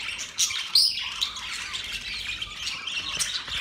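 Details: Morning chirping from budgerigars, October 1, 2023: continuous high twittering with quick upward-sweeping whistles and brief squawks layered over a steady chatter.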